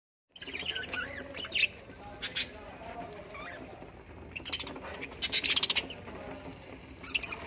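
Budgerigar chatter of warbled trills, squeaks and sharp chirps, with brief scratchy squawks.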